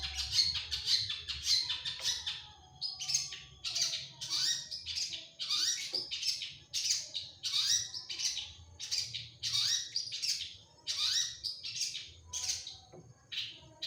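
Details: Cendet, a long-tailed shrike, singing hard with a full repertoire of imitations and 'tembakan' shots: nearly fourteen seconds of rapid rasping, buzzy, downslurred notes in an irregular, unbroken chatter.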